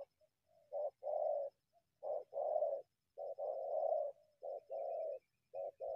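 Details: Wild spotted dove emerging from bushes to attack a decoy; low, hoarse cooing phrases, a brief clipped note then a drawn-out rolling coo, repeated roughly every second with short gaps.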